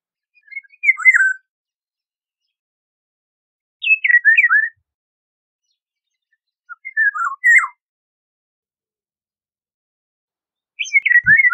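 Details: Golden oriole giving four separate melodious whistled phrases, each under a second with tumbling descending slurs, spaced roughly three seconds apart against a silent background.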